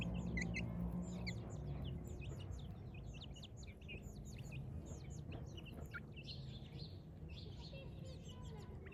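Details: A flock of village chicks at morning giving a dense stream of bright, downward-curving peeps, nearly four per second, continuing throughout against a low background hum.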